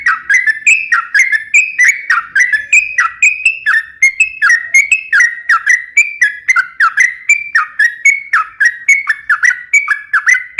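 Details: Sooty-headed bulbul singing steadily, used as a lure and to train other birds: brief whistled phrases of rising and falling notes, repeated about twice a second for over ten seconds, with no other sounds.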